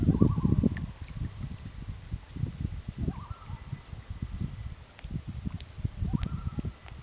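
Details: Loon answering other loons with brief quavering mid-pitched notes, three bursts spaced roughly two and a half seconds apart, faint against loud low-pitched rustling and handling noise.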